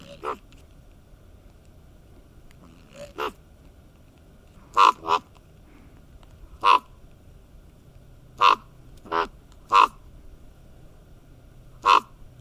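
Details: Two common ravens chatting as a couple. About eight short, clipped, knocking croaks are spaced irregularly over twelve seconds, some in quick doubles, against a quiet background.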